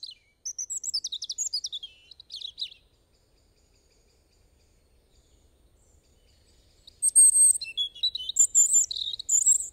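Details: European robin singing: two bursts of high, thin warbling phrases mixing sweet whistles and rapid trills, separated by a few seconds of near silence, with faint low background rumble.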